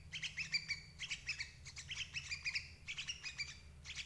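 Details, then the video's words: Sooty-headed bulbul call used as a lure to trap parent birds: bursts of chattering bubbly notes repeated roughly every second, over a steady low hum. "suara burung crucuk ampuh jebak indukan"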